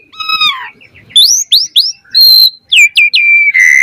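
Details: An Asian pied starling sings, a lure for caged birds to learn from: a falling harmonic whistle, quick rising slurs, a steady held whistle, then descending notes ending in a buzzy tone.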